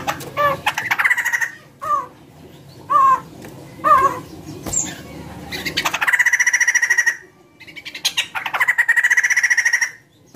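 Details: White-crested laughingthrush song used to prompt other birds to sing: short warbled phrases, then long harsh rattling trills with steady buzzy overtones, two extended bursts separated by a brief pause.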